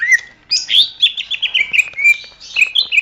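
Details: Greater green leafbird delivering a dense, continuous stream of quick whistled notes, chirps and slurred trills, varied and unbroken for three seconds, intended as training song for songbirds.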